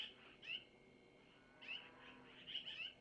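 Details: Long-eared owl chicks at a nest, as the mother takes food from the male to feed them, give short, high, squeaky mewing calls, some sliding quickly upward, about four in three seconds against a quiet background.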